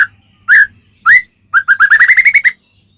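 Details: Shama song from Medan used to stir up rival shamas: two separate rising whistled notes followed by a fast, even string of about ten bright repeated notes that climb slightly in pitch.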